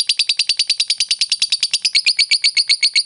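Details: Rapid ngekek chatter of a fighter lovebird, used to goad a rival bird: a steady stream of quick, sharp, high-pitched notes, about eight per second, without a break.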